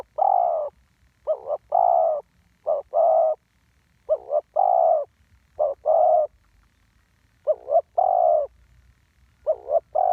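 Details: Spotted dove heard live in the "1 กุก" style, calling in quick succession. Paired short notes are each followed by a drawn-out mellow coo, repeated about every one to two seconds, with faint low background noise.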